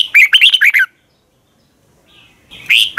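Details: Red-whiskered bulbul giving its long twisted double-voice morning song: a fast run of six bubbly whistled notes, a short pause with a faint note, then another phrase starting.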